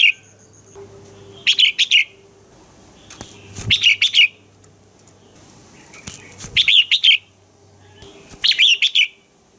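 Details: Red-whiskered bulbul singing in the morning, recorded for training other bulbuls: five bright, clipped phrases of three to five quick whistled notes, repeated about every two seconds over a low background hum and faint ticking.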